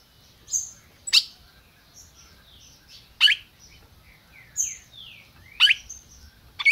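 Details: Brazilian captive-bred red-crested cardinal gives hard, sharp chips roughly once a second. Soft rising and falling whistles from other birds sound between them.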